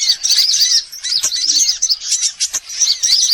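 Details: Lure sound for attracting every sort of sunbird: continuous high-pitched chattering of overlapping thin chirps and quick rising and falling twitters, with brief gaps.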